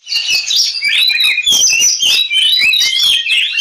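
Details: An Oriental magpie-robin pours out a loud, unbroken stream of varied whistles, trills and harsh chattering notes, shifting pitch constantly, a fighting-style song used as a lure to prompt other magpie-robins to sing.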